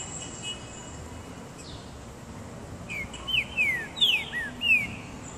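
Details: Green-winged saltator kept in a garden in the sun sings a short series of clear, loud, downslurred whistled notes, about five in quick succession, over a steady background hiss.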